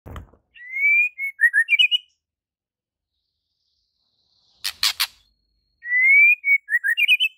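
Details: White-rumped shama singing vigorously with a full, varied repertoire: a rising whistled slur followed by quick chirped notes, a short burst of clicks in the middle, then the same whistled phrase repeated.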